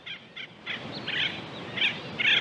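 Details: An Acorn Woodpecker, one of about six sheltering in shade and catching flying insects in a grassy, tree-lined park on a hot summer day in Southern California, gives a run of harsh, nasal, scratchy notes and raspy bursts over a soft outdoor hum.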